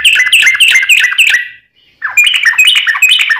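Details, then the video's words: Yellow-vented bulbul (trucukan) in full rapid 'ropel panjang' singing, used to prompt a kept bird to answer: dense bubbly chattering phrases of quick warbled notes, a brief pause near the middle, then the fast chatter resumes. "SUARA trucukan gacor ROPEL PANJANG pancingan trucukan agar bunyi"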